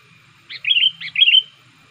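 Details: Young sooty-headed bulbul used as a lure bird to draw wild bulbuls close, beginning to sing well. It gives two short, clear whistled phrases, each a bubbling note sliding into a level fluty whistle, about half a second apart.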